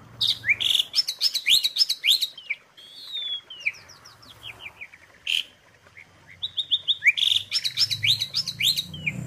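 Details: Asian pied starling (jalak suren) filler song used as tutor material: rapid run of sharp rising whistled notes and chirps, brief buzzy bursts between phrases, a short pause mid-way, then dense chattering resumes.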